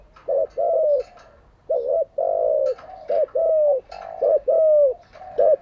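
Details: Decoy spotted dove, its call meant for training captive doves each day; dense run of cooing phrases, clipped notes and long mellow coos following closely one after another.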